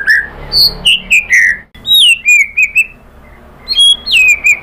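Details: Song of a white-rumped shama (murai batu), played to provoke other birds to sing: sweet whistled phrases, dropping and rising sharply, broken by a brief pause, then a high sliding whistle.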